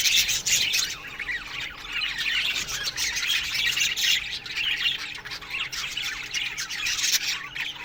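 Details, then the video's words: A morning aviary colony of budgerigars fills the air with continuous overlapping high chirps, rasps and warbled chatter, swelling and fading slightly. "Budgies Morning Chirping Sounds"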